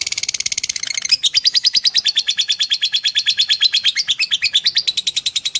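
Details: Lovebird song played as training material to shape lovebirds into fighters: rapid, regular chattering trill of sharp high notes, about three per second, shifting in tone partway through and continuing without pause.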